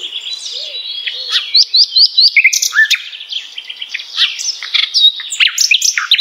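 Common nightingale singing a rich, varied song: a run of four quick rising whistles, then rapid chattering and sharp high notes.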